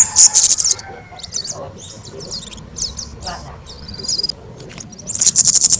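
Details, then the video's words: Orange-headed thrush singing very loudly and energetically, used as a model for training other birds. High, sharp warbled phrases in short separated bursts, ending in a rapid, dense chattering trill. "Kicau Burung Kemade Gacor Suara Super Keras Untuk Masteran"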